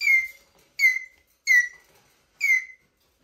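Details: A pet Eurasian jay squeaking plaintively: four high squeaky notes, each sliding downward, spaced unevenly about a second apart; nothing else is heard.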